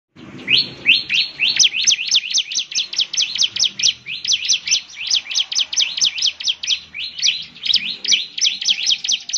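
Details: Bar-winged prinia, a lively singer used to make other prinias answer: a fast run of high, sharp rising chirps, packed densely and repeated continuously for nearly ten seconds, with faint low background hum.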